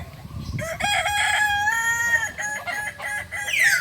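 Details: West Sumatran Kokok Balenggek rooster from Solok crowing at a group practice. A long, bright crow breaks into separate stepped notes, overlapped by other crowing and a high, falling squeal at the close.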